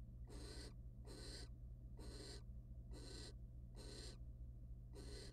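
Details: Wild barn owls mating in a nest box, the male afterwards preening the female's feathers: six harsh, hissing bursts repeated steadily about once a second, with a steady low hum in the background.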